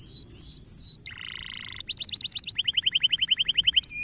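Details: Canary song aimed at spurring young canaries to sing: falling whistles, a harsh buzzy stretch, then a fast regular series of short rising chips repeated about four times per second.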